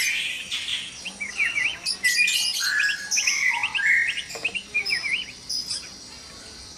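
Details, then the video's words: White-rumped shamas singing at dawn inside a breeding cage: quick, varied phrases of whistled V-shaped notes, short trills and bright chirps, about ninety-five notes a minute in an uneven flow, busy and noisy throughout. "Suara murai batu berisik dikandang ternak saat subuh"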